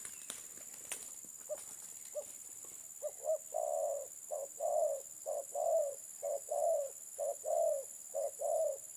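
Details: Spotted dove cooing in a steady series: after a few faint notes, a run of about ten mellow, hollow coos starts at roughly one per second, some doubled, over a constant high hiss.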